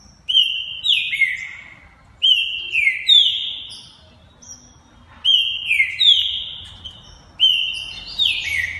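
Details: A captive, multi-champion male Green-winged saltator (Saltator similis) sings. It repeats loud, clear downward-sliding whistled phrases roughly every two seconds, with faint higher chips between.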